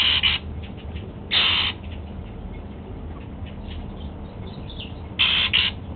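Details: Male Golden-fronted Leafbird, a pet, eating apple in the morning: harsh high bursts, some doubled, at the start, near two seconds and near five seconds, with faint ticking sounds in between.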